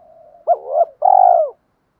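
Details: Male and female spotted dove decoys giving a provoking fight coo: a faint murmur, a sharp clipped note sliding into a buzzy hum, then a loud, vibrating, slowly falling coo. Clean, quiet background.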